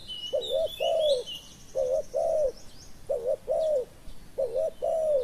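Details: Spotted dove calls while a decoy lures a slow-coming wild bird: four regular phrases, each a quick doubled coo followed by a drawn-out hollow coo, spaced roughly a second apart, with faint twittering birds overhead.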